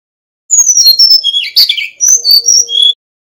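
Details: Brown-chested jungle flycatcher, a male from Bali, singing a continuous medley of high clear whistles and sliding chirps with a buzzy burst midway; recording meant as a master for tutoring young birds.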